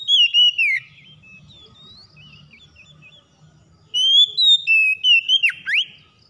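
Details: Oriental magpie-robin song for prompting a reluctant bird: a loud descending whistled phrase, a pause filled with soft twittering over a faint low hum, then another bright series of sliding whistles ending in sharp swoops.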